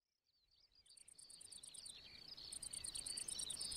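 A Eurasian skylark pours out an unbroken, high, warbling song, broken up by fast, buzzy trills repeated at a rapid pace. The sound swells as it goes.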